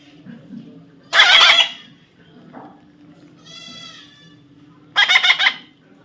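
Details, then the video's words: Two loud, grating squawks from a baby parrot about four seconds apart, with a softer, more tonal nasal call between them. "natural funny parrot sound"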